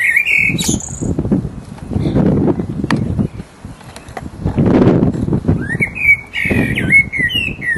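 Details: Resident blackbird in full voice giving its mating song: mellow fluted whistled phrases with high squeaky flourishes open and close the stretch, broken by loud low rustling and wind-like rumble in between.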